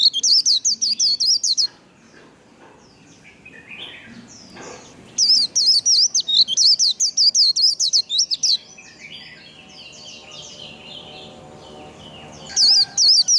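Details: White-eye in "líu" training song: repeated bursts of fast, high, twisting whistled notes, around six per second, separated by pauses filled with softer scattered chirps from other birds.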